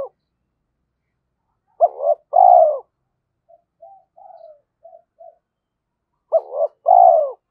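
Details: Decoy spotted dove, trained daily, cooing to provoke fights and call in rivals: two paired phrases, each a short rising hooked note followed by a longer falling coo, separated by soft quiet murmuring notes, no other sounds.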